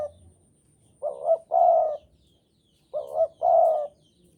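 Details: Spotted dove from Java in strong breeding mood, singing readily, delivers two hollow coo phrases about two seconds apart. Each opens with a short wobbling note and ends in a longer steady coo, with faint background sounds.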